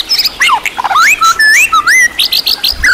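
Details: White-rumped shama in champion-class tutor recording full of varied song material: loud, clear whistled phrases sweeping up and down, slurred rising notes and quick high chips in a rapid varied sequence, with little background noise.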